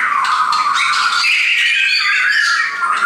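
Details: Continuous overlapping whistles and warbles from several caged shamas brought by a friend, a steady blended stream with no pauses.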